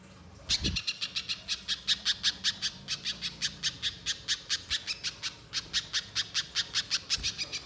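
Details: Spiderhunter (pijantung pisang) used as a lure for singing birds: a long, steady string of loud, sharp high-pitched notes repeated several times per second without a break, with a low thump near the start.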